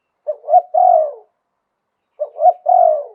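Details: Spotted dove cooing in the Thai luk tan style, two matching phrases about two seconds apart, each a quick low note, a swelling coo and a long, buzzy, descending croon.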